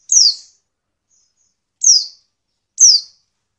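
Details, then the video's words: High, thin calls of a female Oriental white-eye, used to make males answer and sing quickly; three bright falling tseep notes, the first after a long gap before the next two, with silence around them. "pleci betina untuk merangsang bunyi pleci bahan"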